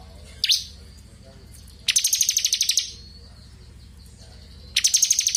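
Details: Bar-winged prinia, the crystal ciblek, used as tutoring song for magpie-robins, gives a single falling chip, then a fast buzzy high rattle of even pulses, and later a second rattle starts, with a low hum behind.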